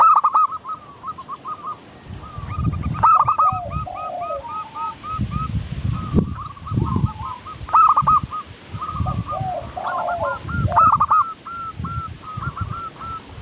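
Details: Local zebra dove song played as a lure for birds learning or stuck in song: rapid runs of short mid-pitched coos, broken every two seconds or so by loud stacked notes, over low rumbling background noise.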